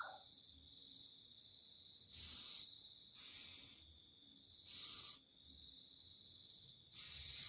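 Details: Loud, eerie bird calling at night, on a Thursday night: harsh hissing screeches about half a second long, given irregularly every one to two seconds over a steady high insect drone.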